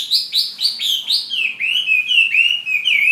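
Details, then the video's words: Fighting Chinese hwamei from Hà Giang, Vietnam, singing a fast series of bright, descending whistled notes, four quick repeats, then a run of clear sliding whistles at steady mid-high pitch, loud and uninterrupted. "Họa mi chiến Hà Giang"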